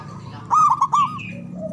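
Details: Loud local Javanese zebra dove, used to stimulate reluctant doves to sing: a short phrase of three or four fast, emphatic cooing notes, then a fading tail and a faint low hum.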